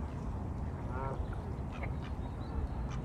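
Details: Mallard quacking on water shared with greylag geese and coots; one short nasal, harmonic quack near the one-second mark, then fainter scattered calls, all over a heavy low rumbling background.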